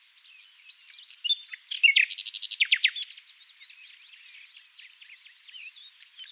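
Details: In a dune valley near Oostkapelle, Netherlands, a common nightingale (Luscinia megarhynchos) delivers a loud, high phrase of rapid, evenly repeated hard notes, about a dozen in a second and a half, over a busy chorus of other birds.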